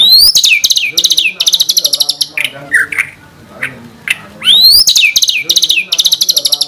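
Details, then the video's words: White-rumped shama (murai batu) song in the 'tembakan' style, a master recording meant to prompt other shamas into lively singing: bursts of rapid, loud repeated high notes opened by rising whistled sweeps, a brief quieter gap with softer chatter mid-phrase. "Pancingan Masteran MP3 Murai Batu Gacor Full Isian Tembakan Mewah"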